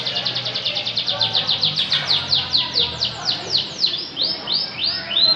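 A canary sings a fast trill of high, bright notes, about eight a second, slowing into a series of looping whistled notes.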